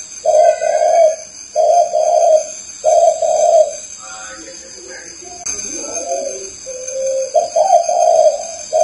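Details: Spotted dove cooing in low, mellow paired notes that repeat at a regular pace. A short pause holds faint chirps and a knock, and then the cooing starts again. A faint steady high-pitched hum continues throughout.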